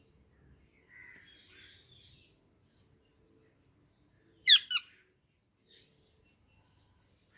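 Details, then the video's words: Indian ringneck parakeet giving a harsh double screech mid-recording, preceded by softer chattering notes and followed by faint scattered chirps. "Indian Ringneck Parrot Natural Sounds"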